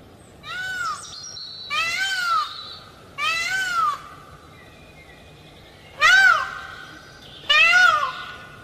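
A peacock gives five loud, nasal, wailing cries, each about a second long and arching up then down, spaced a second or two apart over quiet background noise.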